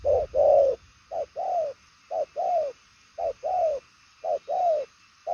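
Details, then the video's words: Purple-legged 'đồng son chân tím' spotted dove cooing ('gù') fast and far-carrying in 'bài lối' style: steady two-part phrases, a brief note then a drawn-out descending coo, about once a second. "Đồng son chân tím gù quá tốt, nước xa tốc độ bài lối"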